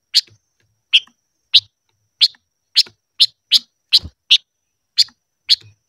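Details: Silver-eared mesia practising its voice, uttering crisp bright chips at fairly steady intervals of about half a second, some closer together, with no other sounds.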